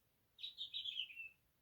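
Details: House finch song played back during a children's bird-guessing game; a short warbled phrase of high chirps sliding slightly downward, about one second long, on a quiet background.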